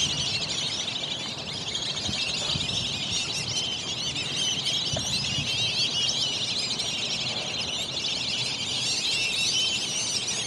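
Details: Morning at Lake Elberta as a flock of Black-bellied Whistling Ducks wakes up: many high, thin whistles and chattering notes run together in a steady, unbroken chorus for the whole stretch, with a faint low hum beneath.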